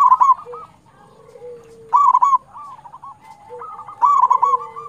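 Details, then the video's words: Local zebra dove song for prompting other doves, three loud bursts of fast bubbling coos roughly every two seconds, with a softer chorus of cooing doves filling the gaps. "PANCINGAN PERKUTUT LOKAL GACOR"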